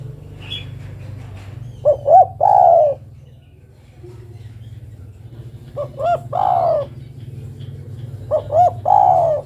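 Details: Female spotted dove calling for the male, repeating the same phrase three times about three seconds apart. Each phrase is two brief hooting notes and a long, gently falling coo. Low steady hum in the background.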